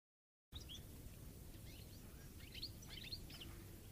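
A goldfinch's bright, twittering song of quick high chirps and short slurred notes, over a steady low rumble of background noise.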